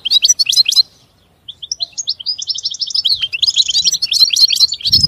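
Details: Short twittering goldfinch phrase, a brief pause, then a long rambling run of high, rapid, tinkling notes with buzzy trills; a low thump near the end.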